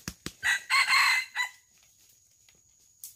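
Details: Wild junglefowl heard while being lured for live capture by a traditional trapping method; two sharp clicks, then a harsh, hoarse crow in three broken bursts over about one second, followed by quiet background hiss.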